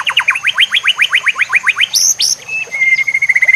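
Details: White-rumped shama singing for use as a tutor for other shamas, backed by nature sounds and water: about fifteen quick rising notes in a row, a bright high flourish, then a sustained level whistle ending in fast ticks.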